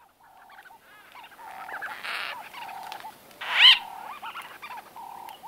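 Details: White-fronted bee-eaters in close conversation, recorded at close range: repeated short rolling notes near one kilohertz with rising-falling loops, a louder burst of chatter midway, several birds calling together.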